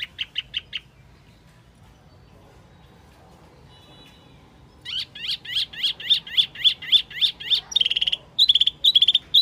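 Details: Lure call of the Wambi mini bird: a brief burst of quick high notes, a silent gap, then a long accelerating string of sharp chipping notes repeated several times per second.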